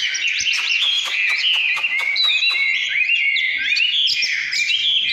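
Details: Oriental magpie-robin in 'căn lửa' song, a continuous loud stream of warbled, swooping whistles with quick trills woven between the longer notes.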